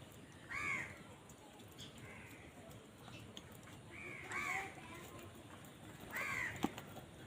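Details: Crows squabbling over food, uttering strong, rasping caws in separate bursts with pauses of several seconds between them, and a sharp knock near the end over a quiet hiss.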